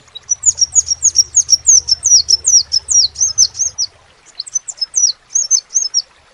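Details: A gacor crimson sunbird pours out shrill, slurred tweets, a fast packed run that loosens into spaced pairs after a brief break, with a faint low hum beneath the first part.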